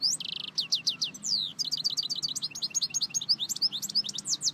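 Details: European goldfinch singing: a short buzzy trill, then a long run of rapid tinkling twitters and downward-slurred whistled notes over faint low hum.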